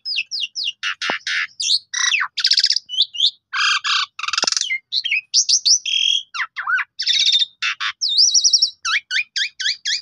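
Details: Black-collared starling song meant to make other starlings sing: a fast run of sharp chirps, harsh rasping bursts, clicks and whistled upslurs, tightly packed and loud, with no other sounds.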